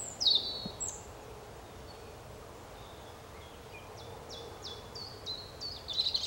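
European robin singing thin, high, sliding notes: a brief phrase at the start, a pause, then a faster run of short falling whistles, over soft background hiss.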